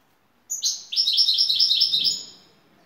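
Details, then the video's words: European goldfinch from Turkey, a champion 'baş kuşu' bird singing in the şakşaklı style: after a brief pause, a rapid run of high, bright, buzzy twittering notes strung closely together, fading out at the end. "Şakşaklı Saka kuşu"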